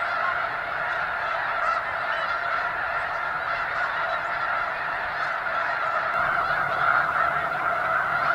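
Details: Thousands of snow geese calling together at McNary National Wildlife Refuge, Burbank, Washington: a seamless din of nasal honking, individual yelps faintly discernible within the mass, swelling slightly toward the end.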